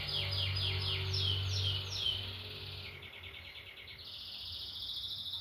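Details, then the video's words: Canary delivering repeated downward-sweeping notes at an even pace, followed by a lower rapid rolling trill and a higher steady tone, with a low hum underneath. "O IMPORTANTE É QUE O CANÁRIO CANTE"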